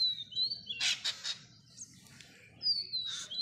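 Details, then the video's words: Young parrot begging on its first day of hand feeding: a quick cluster of rough, scratchy bursts, framed by long, thin whistled tones at the start and end. "1st day baby Perot 🐦hend feeding पहले दिन तोता कि बच्चे का hena feeding"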